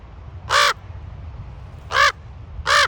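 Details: Raven at Ocean Beach in San Francisco giving three loud, harsh, grating caws, the first alone and the last two closer together, over a faint low rumble of surf or wind.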